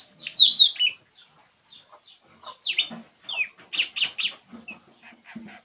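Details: Puling bird at ease gives a loud high slurred whistle phrase, then scattered soft chips, and finally a burst of rapid buzzy twittering notes with a few lower clucking sounds.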